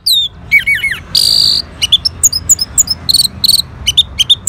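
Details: Orange-headed thrush answering a lure in North Bali: quick looping high notes, a steady buzzy note, then a long run of short bright chirps repeated several times a second.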